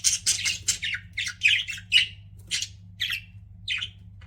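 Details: Pet budgies chirping inside a room, a fast volley of scratchy chirps at first, then spaced single squawky notes about every half second, with a constant low hum behind.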